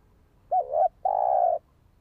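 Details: One phrase from a spotted dove, played to excite and train a decoy bird: a brief warbling two-part coo, a short pause, then a sustained flat, mellow coo of about half a second.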